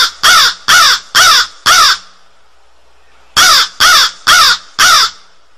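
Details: Rapid crow cawing, two bursts of four harsh, clipped caws each, separated by a pause of more than a second; loud calls over a faint steady hiss.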